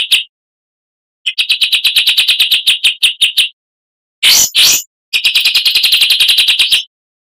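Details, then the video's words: Kacer, the oriental magpie-robin, in full-material tutor singing used to train other cage birds: a quick whistle, then fast rattling runs of harsh repeated notes about three per second, broken by a short rasping burst. "MASTERAN KACER .MATERI FULL"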